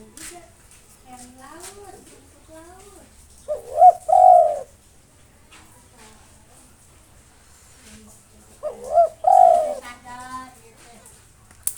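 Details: Spotted dove, a local bird, cooing persistently to provoke rivals: two mellow phrases of short coos rising into a longer rolling coo, about five seconds apart. Faint thin chirps and soft background murmurs are heard between them.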